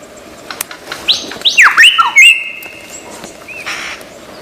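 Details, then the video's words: Mimicking lyrebird from Australian forest: short rising chirps, then loud downslurred whistles and a long level whistle, ending with softer scattered notes. "Lyre Bird Burung 1001 Suara"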